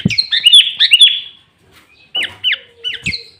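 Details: Sooty-headed bulbul singing hard and clear, used as a lure and challenge to rivals, with green leafbird imitations. A fast string of sharp, slurred, down-swept notes comes first. After a short gap, three separate emphatic slurred phrases follow.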